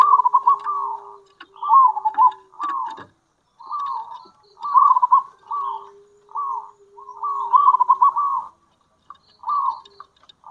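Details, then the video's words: Local zebra dove calling actively in kerot and bekur style to draw in other zebra doves: about nine rippling coo phrases in steady succession, with a faint low steady tone and a few clicks in the background. "Panggilan Perkutut Lokal !! Perkutut Lokal Kerot Gacor Dan Bekur Ampuh Untuk Pancingan Perkutut"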